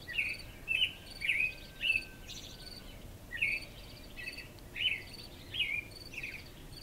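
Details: American robin singing at dawn in spring before sunrise over a mountain, recorded June 9, 2014: clear whistled caroling phrases, rising and falling, repeated in quick succession with short pauses; a faint steady high insect-like hiss and a low hum run beneath.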